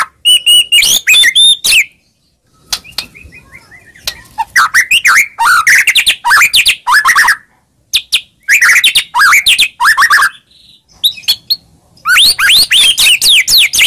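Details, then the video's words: Murai song used as a lure to stir a silent bird into emotional singing: rapid chattering and scratchy phrases mixed with rising whistles, broken by short pauses, ending in a dense burst of varied notes. "Pancingan Handal Buat Murai Diam Seketika Langsung Emosi"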